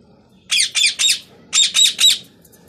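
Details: Pet parrot giving harsh, high squawks in two bursts of three, each note short and evenly spaced, with a brief pause between the groups.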